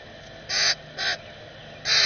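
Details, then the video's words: A baby Common Grackle begs while a parent feeds it at a bird cam: three harsh, raspy begging notes, each about a quarter second, spaced unevenly over two seconds against a quiet background. "Common Grackle - parent feeding baby"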